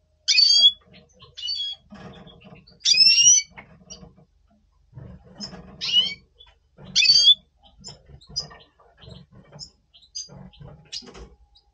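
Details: Pre-breeding voice of a double pastel red siskin, November 2023: bursts of high twittering and sharp whistled notes roughly every two seconds, separated by quieter chatter and a low background hum.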